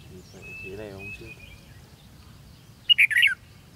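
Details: Red-whiskered bulbul during a trapping contest, 13 February 2016: a man speaks first, then after a pause the bird gives one short, bright burst of high, tumbling whistled notes.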